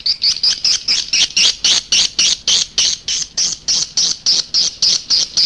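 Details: Indonesian edible-nest swiftlet lure call used outside a nest house to attract swiftlets: loud, high chirps repeated steadily about three or four times per second throughout.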